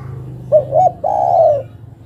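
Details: A female zebra dove calls for a male with a single phrase of two brief coos leading into one sustained, slightly falling coo, set against a low background rumble.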